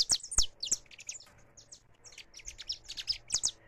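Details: Saffron finch singing free, recorded live: scattered bursts of very high, sharp, downward-sliding chirps, some in quick pairs, with quieter gaps between phrases over a faint low background hum.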